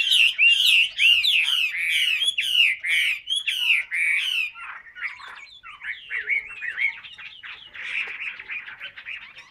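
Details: Captive Chinese hwamei starts with a loud series of sharp, repeated whistled phrases, then drops into a quieter, jumbled twittering warble for the rest of the passage.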